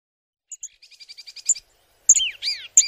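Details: Flowerpecker calling: a quick run of about ten thin, even high ticks, then a pause and three loud, sharp, downslurred chips.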